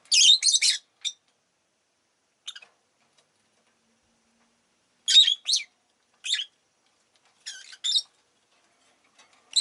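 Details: Rosy-faced lovebirds kept as pets chirp actively, with a burst of grating, rapid notes at the start. Isolated shrill chips and short doubled chatters follow after a quiet gap of about two seconds.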